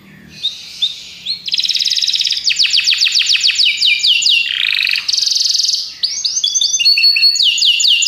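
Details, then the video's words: Belgian canaries singing a fast, varied song: a few opening chips, then long runs of quick repeated downward-swept notes, a rolling buzz, and bright whistled trills toward the end. "Os canários belgas cantam espetacularmente"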